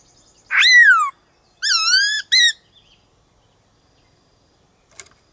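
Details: White-cheeked laughingthrush in varied 'changing-voice' song for training young birds: a loud downslurred whistle, a sustained rising whistle, and a short clipped note, followed by silence and a faint tap.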